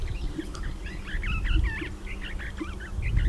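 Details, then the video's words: Swift parrot giving a rapid chattering of short, squeaky, rising and falling notes, repeated steadily throughout, over a low rumble of background noise. "Swift Parrot call"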